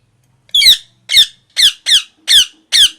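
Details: Parrot, described as natural, chirping loudly indoors: six harsh, squeaky, bright downward-sweeping calls in a steady series about every half second, with almost no background sound.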